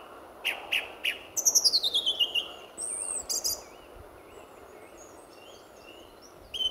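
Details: Song thrush at RSPB Fowlmere in February, singing as the sun was about to rise: a few sharp notes, a fast descending series of high notes, a wavering whistle, then quieter distant birds over background hum.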